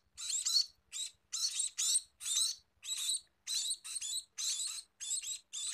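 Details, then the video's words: Scaly-breasted munia producing separated high, hissy, buzzing bursts, each about half a second long, spaced by short silences in an even rhythm, with a few soft low clicks in the background. "Meloloh Burung Emprit Peking!!"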